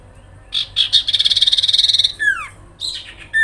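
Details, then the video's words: Sooty-headed bulbul uttering its rattling call to provoke other birds: a couple of harsh chips, a rapid high buzzy trill, then descending whistled slurs and further chips. "sirpu grincingan dalam sekejap bikin burung sirtu sepasar langsung respon Emosi"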